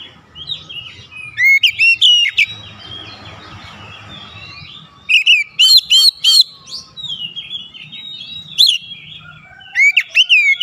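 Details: Oriental magpie-robin answering a rival's challenge: scattered whistles, a noisy rustling patch, then a series of sharp repeated upslurred notes, a softer warbled phrase, and closing bright whistles.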